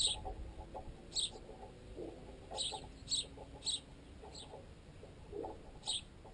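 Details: Several sparrows, among them fledged young still being fed by parents, feed on bread clamped in a tent line. Sharp, high chirps come every half second to second, with soft knocks and low background noise between them.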